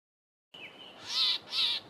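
Southern tchagra giving two harsh, rasping notes about a third of a second apart, high and scratchy. A faint thin whistle comes just before them.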